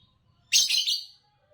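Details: A single raspy chirp from a champion green Fischer's lovebird of Indonesian bird song contests, about seven tenths of a second long, with a slightly wavering, grating texture and a quiet background.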